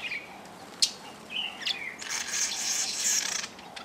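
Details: Fischer's lovebirds (Agapornis fischeri) at a feeder at a lodge on Lake Elementaita, Kenya, many actually hybrids with Yellow-collared Lovebirds, give shrill, high chirps, then a burst of dense, scratchy chattering lasting over a second, with faint outdoor hiss.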